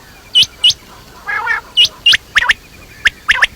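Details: Quail (batair) calling with short, bright, hooked notes, mostly single or paired, delivered briskly; one rougher harsh burst sounds midway.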